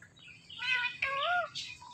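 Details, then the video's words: Speech-mimicking Indian ringneck parakeet producing two drawn-out, nasal, word-like syllables rich in overtones, the second bending up and down, then a short hissy burst. "Indian Ringneck Talking Parrot"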